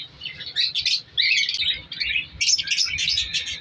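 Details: Aviary colony of breeding African lovebirds in winter. Continuous high-pitched twittering and squeaks from several birds, rising in intensity toward the end.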